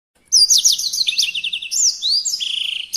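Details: Songbird singing actively in a tutor recording for cage birds: a rush of high whistled sweeps and trills, some notes sliding down, ending in a fast even trill, after a brief quiet start.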